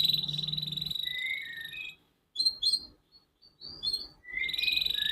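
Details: Canary singing, a young bird training track meant to prompt quick singing: a sustained trilled whistle near 4k, slurred falling notes, short high chirps after a pause, then the long trill returns.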